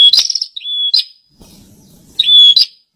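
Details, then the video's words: Bar-winged prinia, a delicate cage bird, gives a long high phrase with a steady whistle and a buzzy flourish, then after a pause a second shorter whistled note with a sharp ending. A low rumble fills the gap. "Pranjenak gacor"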